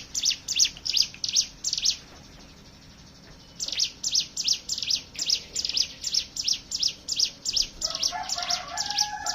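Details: Hill prinia song meant to prompt other birds to sing: quick high chips in a steady series, a pause of about two seconds, then the chips resume. Lower whistles from another bird enter near the end.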